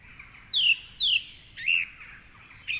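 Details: Song thrush singing in the dark at 4.45am from a tall tree near the Curragheen River, Cork City, Ireland: two loud descending whistled slurs repeated, followed by a rounded warbled note and a short final call.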